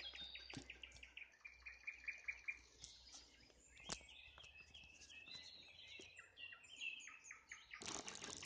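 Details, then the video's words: Nightingale singing at sunset: a faint, varied run of short whistled and chirped notes, high and scattered, over a low background hum, ending in a brief burst of noise. "Пение соловья на закате, соловьиные трели"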